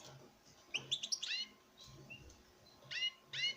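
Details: Captive-bred male European goldfinch courting a female: a quick burst of high twittering chirps, then bright, harmonic, downward-slurred notes in short clusters with pauses between.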